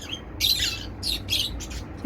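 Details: Pet cockatiel letting out harsh, raspy squawks, two or three grating bursts in quick succession in a small room.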